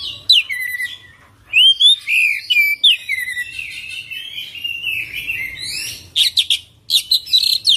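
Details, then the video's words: Oriental magpie-robin in full 'ngerol' song: curling whistled slurs, a short gap, then dense musical warbling that breaks into rapid, harsh clicking bursts at the close. "Kacer Full Isian ngerol gacor dorrr"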